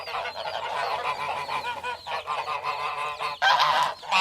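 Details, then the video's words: Geese calling together in a noisy chorus of nasal honks, steady and overlapping, with a louder harsh burst near the end. "Гусь голос . Қаз дауысы"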